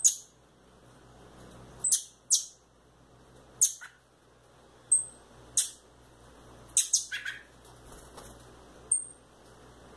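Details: Captive young rufous-bellied thrushes, one male and one female, make repeated piercing, downward-slurred squeaks at uneven gaps of one to two seconds. Two brief, pure, high-pitched whistles are mixed in, with faint room hum underneath.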